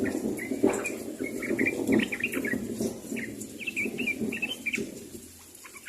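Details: Sooty-headed bulbul calling to others: short chirped and whistled notes in quick irregular bursts over a low, steady background rumble.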